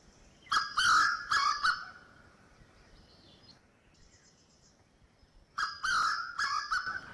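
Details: A male grey junglefowl gives a territorial call: a harsh, broken crow of four or five clipped syllables, then repeats it after a pause of about four seconds.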